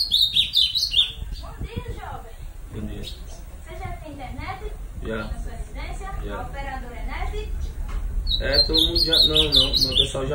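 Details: Ultramarine grosbeak of the steel-beak type singing bright, high whistled phrases at the start and again near the end, with a man talking loudly between the bursts of song.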